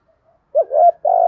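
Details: Spotted dove, Thổ-style urging coo played to make silent caged wild-caught birds coo: a brief wavering note running into a held mellow coo, then another begins.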